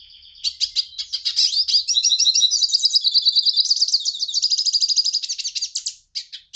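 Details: Continuous song from a hooded siskin: a rapid, rattling series of high chirps that builds into a steady twittering trill, then ends in a few scattered notes.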